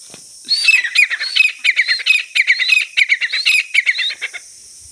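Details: Grey francolin during a fight: rapid series of sharp, high chirping and squeaky notes, roughly four per second for about four seconds, over a steady high-pitched hiss.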